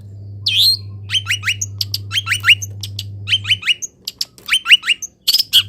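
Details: After misting and exposure to morning sun, a caged long-tailed shrike sings clusters of quick rising whistled chirps in groups of three, with a harsh note at the start and a faint low hum.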